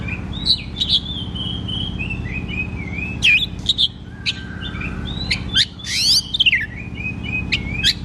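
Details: Oriental magpie-robin (kacer) loud 'ngeplong' song, meant to lure untrained birds into singing; slurred whistles and sharp chips, with a loud descending buzzy sweep midway, over persistent low hum.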